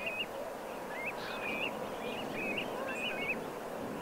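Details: Common linnet on a Morbihan beach in autumn, late September 2022: a run of quick twittering notes, each a short upward-bending chirp, repeated in clusters, over constant roaring background noise.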